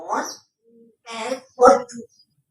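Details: Female Congo African grey parrot kept as a pet, talking in Urdu/Hindi indoors: three short speech-like bursts with a harmonic, voice-like quality, the last loudest, separated by brief pauses.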